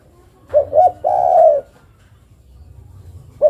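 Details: One full call phrase from a female spotted dove summoning a male: a pair of quick rising coos then a long smooth coo, followed by silence and the first note of the next phrase.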